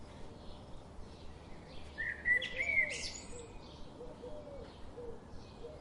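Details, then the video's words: Garden birds seen daily give a brief pair of thin, whistled chirps midway through, with faint soft low notes scattered through the quiet outdoor background. "The chirping sound of these daily visiting birds"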